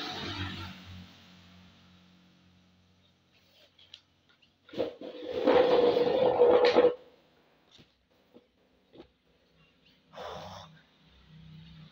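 Indoor rustling and a loud two-second burst of splashing, flush-like noise, with scattered knocks and no clear birdsong.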